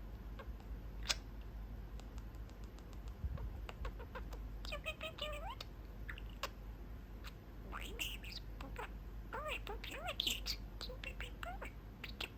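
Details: Pet budgerigar perched at a small window in its cage, sitting with its owners and chatting; quiet background with soft human speech, then bursts of warbled, rising and falling chirps and chattering notes in the second half.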